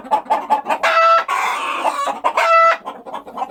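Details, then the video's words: Rooster crowing: two loud, harsh crows with steady harmonic tones, framed by short repeated clucking notes. "Amazing Rooster Crowing Compilation Plus 2024 Rooster sound effect video"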